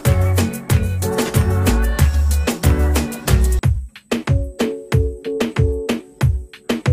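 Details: Rhythmic instrumental music with a heavy bass beat and repeated percussive hits, with no animal voices audible.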